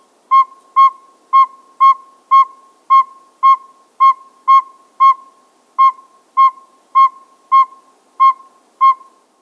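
A male Northern Pygmy-Owl gives a steady series of clear, hollow, mid-pitched toots, about two per second, with a quiet background.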